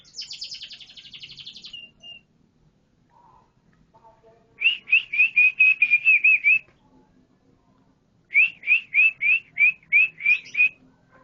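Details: Canary song opening with a buzzy, rapid high tour, then two separate runs of about eight to ten quick, evenly repeated rising whistled notes, each run lasting roughly two seconds with pauses between.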